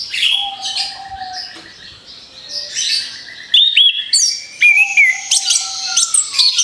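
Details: Lure song of an orange-headed thrush: soft chatter and a low steady whistle at first, then loud, bright phrases of twisting whistles and chirps coming in quick bursts.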